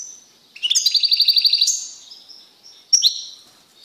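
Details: Male European goldfinch singing strongly in a cage after removal from a female canary; a fast even trill of about a dozen repeated notes ending in a rising whistle, then a thin tone and a short chirp.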